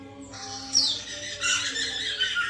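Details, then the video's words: Caged white-crested laughingthrush sound for encouraging a captive bird to sing: a harsh, noisy outburst starting abruptly and continuing as a rasping, rising-and-falling chatter to the end, with a low hum underneath. "pancingan Poksay mantel agar bunyi"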